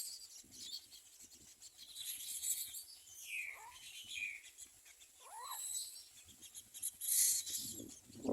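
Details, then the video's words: Common myna nestlings at the nest around feeding time: harsh, hissing high-pitched chirps in short bursts, mixed with a few brief whistled slurred notes, over a steady background hiss. "Common myna Baby birds have eaten"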